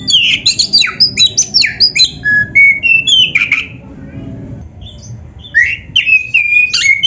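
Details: Oriental magpie-robin, training song for kept birds: fast rhythmic series of sharp chirps and sweeping whistles, then a quieter gap and renewed varied whistled phrases.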